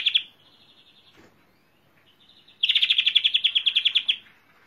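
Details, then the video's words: European greenfinch song: a loud chirp, a thin buzzy level note, a pause, then a fast rhythmic trill of about fifteen pulses, clean and close. "Greenfinch Song"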